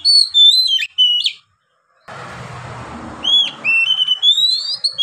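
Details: White-rumped shama in full, long-breathed song: bursts of varied whistled and slurred notes, a pause with soft background rustle, then a fresh run of rising whistles and quick twittering phrases.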